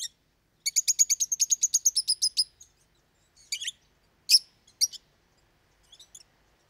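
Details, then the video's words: Caged lovebird parrots in loud, frequent chatter: a quick run of about fifteen evenly spaced high ticking chirps, then scattered single sharp squeaks after a pause. "Как поёт неразлучник"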